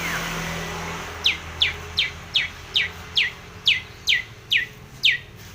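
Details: Long-tailed shrike calling to provoke a rival: a steady series of about ten sharp, downslurred chirps, roughly two or three a second, over a low background hum.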